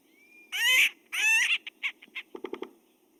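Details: Acorn Woodpecker giving more typical calls: two loud harsh, nasal squawks, followed by a quick stutter of short clipped notes and a fast low rattle, over a faint steady hum.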